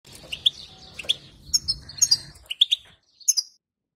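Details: European goldfinch female calls, played to make a caged male sing: short bright high chirps in paired bursts, with a soft low hum under the first half.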